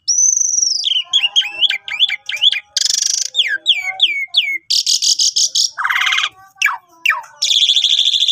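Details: Asian pied starling singing in a lively, chattering style, the kind used as a master recording to train starlings: a high whistled opening, then rapid descending slurred notes, harsh broadband rasps and buzzy bursts alternating in a varied stream.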